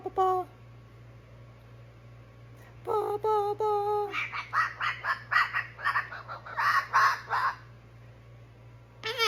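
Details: Pet cockatoo warming up his vocals, giving a few clear tonal whistled notes, then a busy run of chattering, squeaky syllables rising and falling, with a steady low electrical hum underneath.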